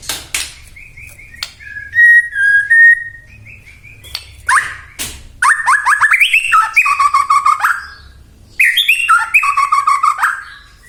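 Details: White-rumped shama song aimed at making other shamas sing: sustained flat whistles, sharp clicks, then two long bouts of fast, rich, tumbling warbled notes with high metallic overtones.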